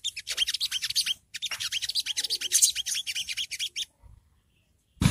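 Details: Ngriwik chatter of a long-tailed shrike (songgo ontong), played as beginner tutoring audio meant to provoke birds into answering: quick bursts of shrill, buzzy twittering broken by short pauses, then falling quiet with a click at the end.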